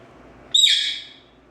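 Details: Green-cheeked conure, pet parrot: a single loud, sudden high squeak that starts sharply and fades over about half a second, quiet room otherwise.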